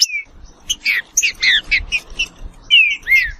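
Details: Trinca-ferro (green-winged saltator) giving a short phrase of loud slurred whistles: a falling opening note, a row of quick chirpy notes, then two drawn-out downward-sliding whistles.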